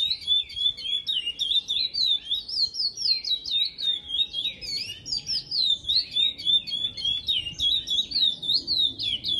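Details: Caged chestnut-bellied seed finch singing the Praia Grande classic song style, a style traced to a bird caught at Ana Dias, Itariri, on the São Paulo coast; clear whistled notes swoop up and down in rapid repeated phrases, about three to four per second.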